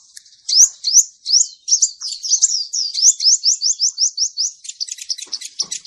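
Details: Male sunbird song, the kind used as a lure for bird trapping: a rapid run of high, thin, upward-slurred chirps repeated about three per second, ending in scattered sharp ticks.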